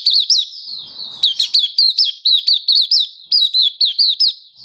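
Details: Malaysian white-eye kept as a cage bird in Singapore, singing on a warm, sunny day in March 2023: a steady run of high, slurred chirps repeated about three times a second, with a brief soft rustle near the start.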